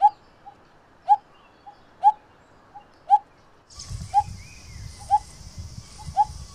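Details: Pair of Coppersmith barbets, also called crimson-breasted barbet, giving low hollow notes repeated about once a second, each followed by a fainter echo-like note; a rumbling low noise and a higher hiss come in during the second half.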